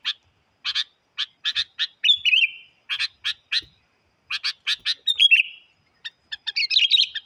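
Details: Sooty-headed bulbul, a very vocal lure bird challenging wild birds, gives rapid series of rough chirping notes interspersed with falling whistled slurs, building into a denser, jumbled burst of chatter at the end; no other sounds.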